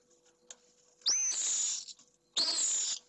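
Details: Pallid swift inside a nest box in Jerez de la Frontera, male confronting an intruding bachelor swift after the pair's first egg: a soft click, then two long, harsh, high screams.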